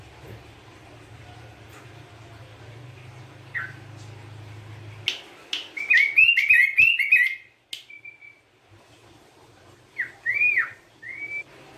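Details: Yellow-vented bulbul (trucukan), described as singing vigorously and used to prompt other birds. The song comes as bubbly, slurred whistled phrases, a run of quick rising-falling notes mid-clip and another short burst near the end, with a low hum before.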